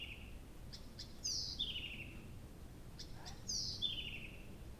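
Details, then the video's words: Nightingale singing in the June night at Abramtsevo, 2021: two loud high whistled phrases, each sliding steadily downward, separated by faint ticking notes, over a soft low background hiss. "Соловей поёт всю ночь"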